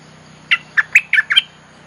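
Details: Lure recording of a bulbul used to attract wild birds: five crisp, gurgling notes in quick succession, rich and warbling, with a faint low hum underneath.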